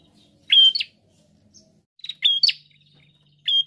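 A prinia gives loud, high, sharp chirping phrases of flat whistled notes with buzzy edges, repeated about every one and a half seconds; faint low hum underneath.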